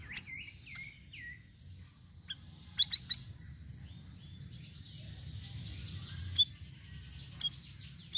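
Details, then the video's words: Golden-bellied gerygone lure recording with varied calls: thin, high whistled notes and short descending slurs, then a long, faint, buzzy trill, with sharp high chips breaking in. "PANCINGAN BURUNG SIRISIRI DENGAN VARIASI SUARANYA"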